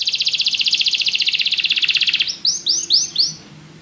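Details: Canary trilling: a rapid pulsed trill held for over two seconds, then four distinct rising whistled notes.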